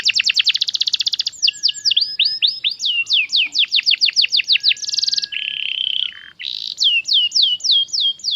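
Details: Canary song played as a lure to teach other canaries to sing, in quick, varied tours: rapid high trills, then repeated downslurred whistles and a buzzy rattle, all bright and high-pitched.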